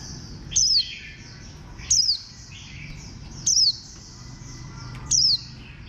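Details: Warbling white-eye repeating a thin, high, downward-sliding chip about every one and a half seconds, four times in a row, with soft faint twittering and low hum beneath.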